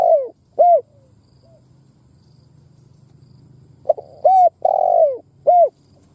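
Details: A spotted dove lure bird coos to provoke wild doves. Phrase endings are heard first, then a faint low hum, then a complete sequence of short notes and a long falling purr with a clipped final note.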